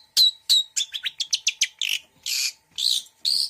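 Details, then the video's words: Long-tailed shrike (cendet) song with mixed mimicry: two sharp whistled chips, a quick run of rising trills, then three longer buzzy, scratchy notes. "Suara Cendet Campuran Isian Full"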